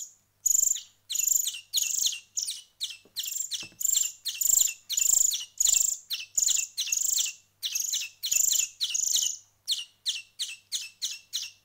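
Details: After a week of hand feeding, finch chicks keep up a steady stream of high, scratchy begging chirps, about one to two per second, some longer and wheezier, before fading into quick short notes.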